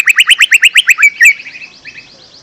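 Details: A lesser green leafbird sings a fast string of buzzy, rising notes, nearly ten a second. It ends in two louder slurs and a fading, softer trill. Used as a lure sound for young birds.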